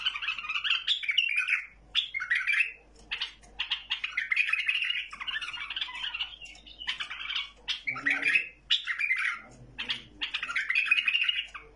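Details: Tamed caged bulbul singing a lively run of warbled, chattering phrases, short bursts separated by brief pauses, with occasional lower squawky notes underneath.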